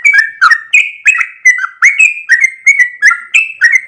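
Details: Sooty-headed bulbul delivering energetic long 'ropel' song, a rapid sequence of sweet, bubbly whistled notes with varied pitch, roughly two to three per second with sharp onsets.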